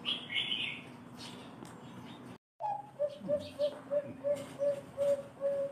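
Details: Bangkok perkutut, a zebra dove sought for its special thick voice: after a break, a rising opening note then evenly spaced soft coos, about nine in three seconds; other birds chirp high at the beginning.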